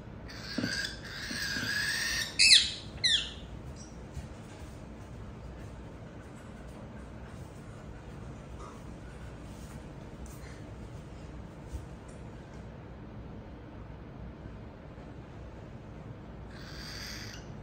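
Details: A cockatiel (Nymphicus hollandicus) gives a few harsh, screechy calls early on, then falls quiet over a low background hiss.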